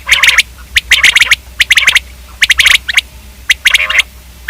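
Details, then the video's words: Dense bursts of sharp, staccato notes from a common quail, grouped in rapid clusters with rough, raspy squawks overlapping. "Common quail video|Quail k hobsort awaz|Quail/Batair|Batairawaz"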